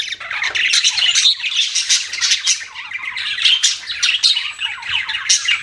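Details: Steady budgerigar chatter: rasping squawks blend with rising and falling warbles and quick chirps, several pet birds calling over one another without break.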